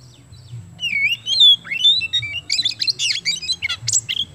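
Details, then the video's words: Oriental magpie-robin singing in full, lively voice, used to stimulate other birds to sing: clear sweeping whistles at first, then a rapid string of varied chips, trills and sharp notes; steady low hum in the background. "KACER KEMBEN GACOR MAKSIMAL UNTUK PANCINGAN"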